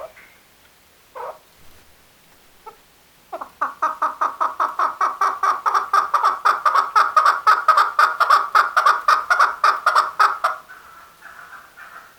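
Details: Male chukar calling: a few scattered notes, then a loud, quickening series of harsh, clucking chuk notes, about three to four per second, for some seven seconds. The series ends in a softer, drawn-out note.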